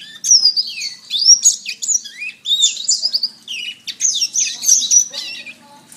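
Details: Canary song used as a master recording for training other songbirds: rapid continuous warbling of high, swooping whistled notes and trills, rising and falling phrases flowing without pause over six seconds.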